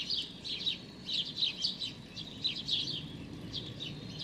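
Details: A hungry young sparrow with very pale, almost white feathers begs with quick, high, scratchy chirps in uneven bursts, roughly two or three per second, over a low background hum; observed 16 May 2019.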